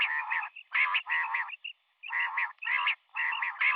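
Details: A female common quail calling in the morning gives harsh, nasal, grating notes in half-second bursts, about six in four seconds, with brief higher squeaks between some of them.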